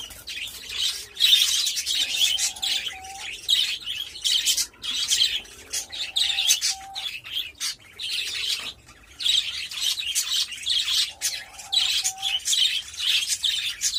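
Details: Pet budgerigars during mating: a dense stream of high, buzzy chatter and chirps, with three short, low whistled notes at intervals and brief pauses.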